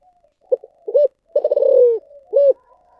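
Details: A single spotted dove phrase in thổ sấm voice: brief double note, firm coo, a long rolled stuttering note falling in pitch, and a clear closing coo, with faint soft murmurs before and after.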